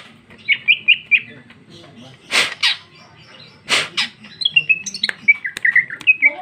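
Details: Female greater green leafbird singing in an open, fluent style: short whistled notes near the same pitch, two harsh rasping bursts in the middle, then a rapid run of varied whistled and chipping notes.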